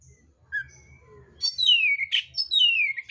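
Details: Oriental magpie-robin, mintal type, in combative song with coarse mimicked fills: a few quiet notes, then long, loud, downward-sweeping whistles broken by a harsh noisy burst.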